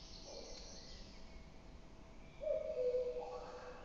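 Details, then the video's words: A common cuckoo at Metsis, Estonia, on 16 May 2018, gives a low, hollow hooting note late on, with a fainter note near the start, over a steady background hiss. "typical sound from Cuckoo"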